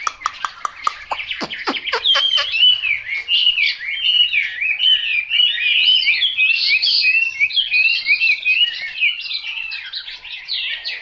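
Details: After a burst of quick clicking taps, a Chinese hwamei launches into long, loud, continuous warbling song full of rolling, whistled slurs.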